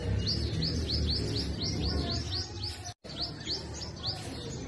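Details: Sunbird at its hanging nest, feeding and guarding the young, gives quick high chips that rise then fall, roughly four per second, against a low droning background; the chips stop briefly after a short silence, then a few more follow.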